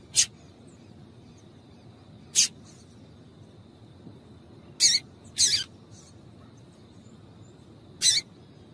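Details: Female double-collared seedeater calling to prompt males to sing: five brief, piercing high chips, two of them close together, spread over several seconds against a faint steady hum.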